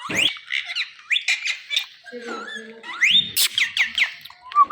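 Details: Pet Indian ringneck green parrot calling loudly: sharp high squawks and rising whistled shrieks in quick bursts, with some lower warbling sounds and faint human voice indoors.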